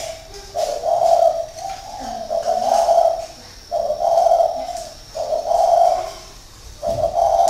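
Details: Caged spotted dove decoy, a seasoned bird kept six years, perched high in its cage in Ba Vi, northern Vietnam, 2019, calling: deep hollow coos in phrases, each a few even notes, repeated with short pauses.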